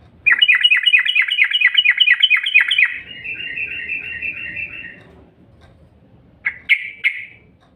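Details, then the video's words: Yellow-vented bulbul lure call: a fast, buzzy rattle of clipped chirps for three seconds, fading into a softer, lower-pitched chatter, then silence and a brief, loud pair of chirps at the end. "SUARA PANCINGAN TRUCUK INI"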